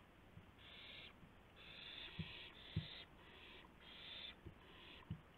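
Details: Owls at night, 2:51 AM on 2 April 2016, as a gopher is delivered: quiet, harsh hissing screeches, each under a second, coming in an uneven series with a few dull thumps underneath.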